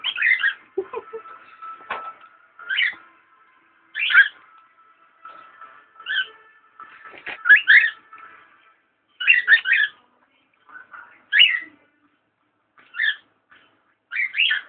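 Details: A one-year-old pet cockatiel, upset by a camera held too close and trying to attack it, gives short, harsh, chattering calls in bursts every second or two.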